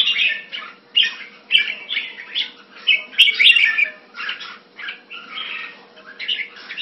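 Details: Caged red-whiskered bulbul in Singapore, kept Thai style, February 2018, delivering short separate bursts of cheerful, chattering whistles about once a second. A steady electrical hum is heard throughout.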